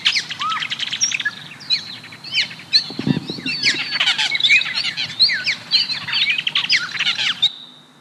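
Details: Song of Austral Blackbirds (tordos), very social birds always in groups with complex many-note vocalizations, common in Santiago, Chile: a dense overlapping chorus of varied whistles, slurred chirps and liquid notes, with a brief low thump midway.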